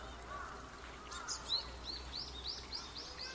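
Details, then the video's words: Japanese tit filmed on 29 November 2015 with a camera and external microphone; a short series of high, arched chirping notes in quick succession, rising in pitch over the second half, with faint background noise. "シジュウカラJapanese Tit の鳴き声。"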